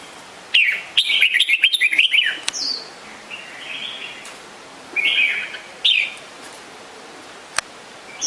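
Red-whiskered Bulbul giving a rapid burst of bright, chattering notes, then several short liquid whistled phrases spaced a second or two apart.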